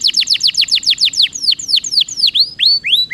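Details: Rolling canary song played to coax quiet canaries into singing: rapid high notes sliding downward, about seven per second, then slower upward-curving whistles with a ringing quality.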